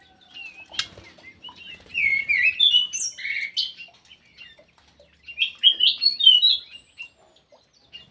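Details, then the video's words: Actively singing ground thrush in an aviary gives two bursts of rich, varied warbling: quick slurred whistles and twittering notes, each burst lasting about two seconds, separated by a quiet pause. A sharp click is heard near the start. "PUNGLOR JALI GACOR"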